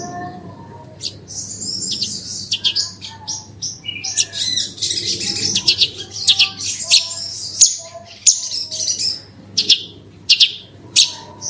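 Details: Horsfield's bush lark song in the fast 'gacor super roll tembak' style, used as a lure to set other birds singing: dense, high twittering phrases and buzzy runs, with a low steady hum underneath.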